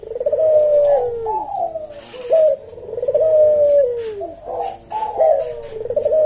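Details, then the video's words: Slow senggang 'kuk deruk' cooing of a caged Javanese puter dove: repeated rolling coos with short sharp intro notes, roughly three per ten seconds, mellow and low. "Burung puter jawa kuk deruk manggung merdu suara SLOW SENGGANG"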